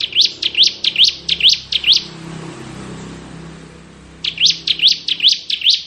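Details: Bar-winged prinia of the crystal ciblek type in ngebren song: two bursts of five and six steeply rising whistled notes, evenly spaced about 2.4 per second, separated by a short pause.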